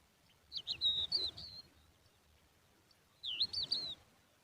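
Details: Lark chicks, young and looking very thirsty and hungry: two short bursts of high, wavering squeaky chirps, each under a second long and about three seconds apart.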